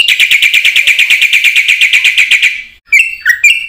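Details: Black-winged myna in full song, used as a lure for quiet mynas: a steady, rapid chain of about twenty nasal chattering notes, ending in a few harsh squeaks and whistles.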